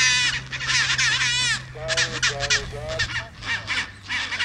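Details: Chinstrap penguins in Antarctica, on the peninsula or at Deception Island: harsh, harmonic-rich braying calls with wavering, stacked tones. A long call is followed by shorter pulsed notes, over a steady low hum.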